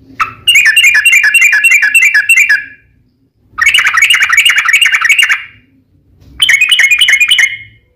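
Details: Sooty-headed bulbul fighting song, meant to draw other bulbuls into singing: three separate bursts of rapid chattering whistles, each about two seconds long, divided by short pauses.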